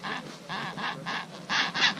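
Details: Chinstrap penguin colony on the Antarctic Peninsula in the early afternoon: a very noisy mass of harsh, braying bursts about a quarter-second long, several a second, overlapping from many birds.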